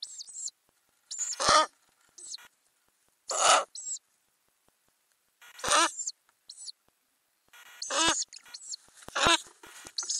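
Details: Ural owl owlets in a nest box, filmed from inside under the lid during May while they grow and prepare to leave. Loud rasping, hissing begging-like screeches repeated every two seconds or so, with thin high squeaks between.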